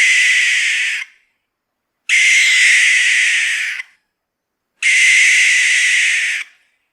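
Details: Barn owl in a French region: three long, harsh, hissing screeches, each about one and a half seconds, roughly every three seconds; nothing else is heard.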